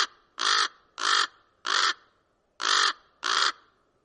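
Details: Rough, loud croaking caws from a common raven, five in all, spaced unevenly with a slightly longer gap before the fourth; little else audible.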